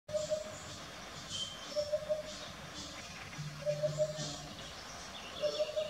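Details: A Eurasian hoopoe gives soft, hollow, low 'oop-oop-oop' triplets. Each group of three evenly spaced notes repeats about every two seconds, four phrases in all. Faint rustling and a distant hiss sit in the background.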